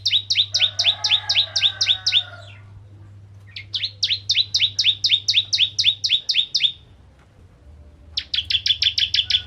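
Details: Ciblek Kristal bar-winged prinia singing hard as a lure for other prinias. Three rapid series of doubled, sharp chirps, with a buzzy undertone under the first series. A steady low hum runs through much of the recording.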